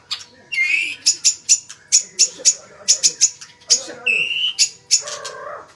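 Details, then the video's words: Magpie-robin singing a rhythmic run of sharp, high clicking notes about every third of a second, broken by a short bright whistle and a lower warbled phrase at the close. "burung murai suara mewah"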